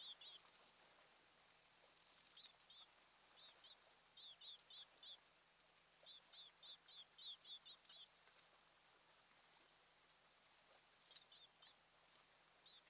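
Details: Mated ospreys nesting on Kent Island, Maryland, morning of 26 June 2018: clusters of fast, thin, high chirps in short bursts separated by quiet pauses, faint above background hiss.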